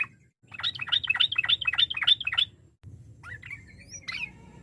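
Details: Yellow-vented bulbul pouring out a long, varied song to provoke opponents into answering; rapid bouncing liquid warbles, then a pause and a few thin upslurred whistles.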